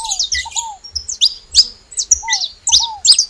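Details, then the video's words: Saffron finches at a feeder calling in short, high chirpy bursts about three a second, mixed with lower curved, downslurred whistles. "Canário da terra fazendo barulho na seva"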